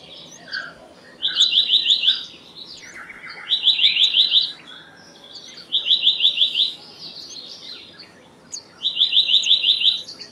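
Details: Black-naped monarch repeating short, quick trills of high, clipped notes about every two seconds, with faint chirps of other birds in between.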